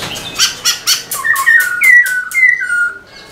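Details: A black-throated laughingthrush sings while displaying its tail: a quick run of five harsh, rattly notes, then loud, clear whistles that slur up and down.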